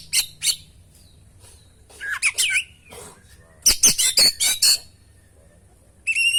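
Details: Oriental magpie-robin song used as a lure to get captive birds singing. Harsh squawky notes and short whistles come in separated bursts, with a rapid run of sharp notes near four seconds and a clear whistle at the close.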